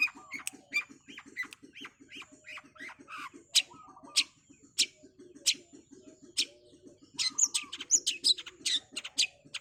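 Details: Cendet (long-tailed shrike) singing a fast 'super speed' gacor-style song used as masteran training audio for songbirds: dense varied chatter of sharp high chips, short trills and buzzy notes, with a steady thin high whine and rapid low ticking behind.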